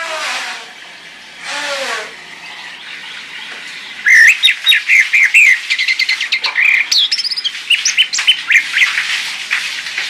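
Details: An orange-headed thrush, used as a lure to get silent birds singing, gives a rich, fast song of clear whistled phrases, chirps and short trills, opened by two harsh, raspy notes.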